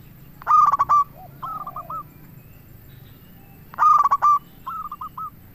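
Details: Local Indonesian zebra dove in full song, a lure recording meant to draw other zebra doves into answering and to stir their breeding mood. Two phrases about three seconds apart, each a quick stuttering burst of rolling coos and then a few softer trailing notes, over a faint low hum.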